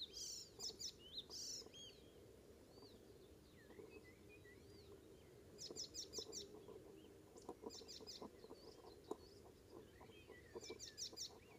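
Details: Icterine warbler singing on a May morning on Ameland, north of Hollum, Netherlands: bursts of high buzzy, chattering phrases alternate with lower slurred whistles, a steady low hum of wind or surf underneath throughout.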